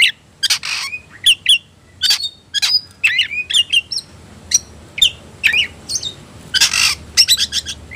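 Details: Oriental magpie-robin roused to fight, singing 'ngobra' style: short sharp chips, upslurred whistles and scratchy bursts spaced through the phrase, energetic and irregular.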